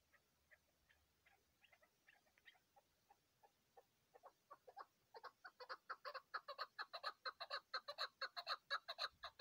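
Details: Chukar partridge on a mountain during hunting: faint, scattered clucks build gradually into a loud, dense series of rasping chuck notes over the last few seconds.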